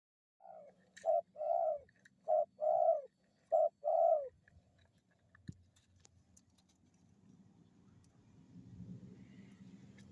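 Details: Pet zebra dove giving three paired coos, each a short note followed by a longer, warbled coo, over about four seconds, then near quiet with low background rumble.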